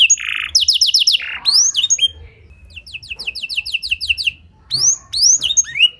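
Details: Canary with blackthroat fill, clear-voiced master singing: a buzzy note and quick repeated whistles, then a series of evenly spaced high rising notes and scattered chirps with quieter gaps.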